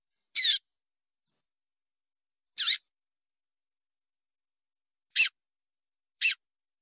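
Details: Female Double-collared Seedeater chip calls played to stir males into song before tournaments; four short, sharp high notes spaced unevenly about one to two and a half seconds apart.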